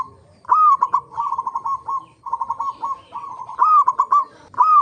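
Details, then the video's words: Local zebra dove singing to lure other zebra doves into song: loud rising hooked notes leading into long, rolling, stuttered coo sequences, repeated with brief gaps, each ending in quick staccato notes. "pancingan perkutut lokal gacor AMPUH pandai BIKIN semua BURUNG PERKUTUT GACOR RAJIN BUNYI"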